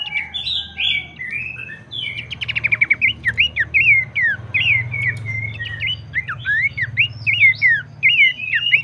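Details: Abbott's babbler song played to stimulate other birds of its kind to sing: dense run of short chirped and slurred whistled notes with quick buzzy trills near the third second, almost continuous, over a low steady hum.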